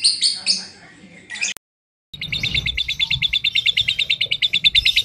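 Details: Lovebird, said to be moulting with a short-circuited song, a few scratchy chirps, a brief silence, then a fast, steady stream of buzzy high chattering notes.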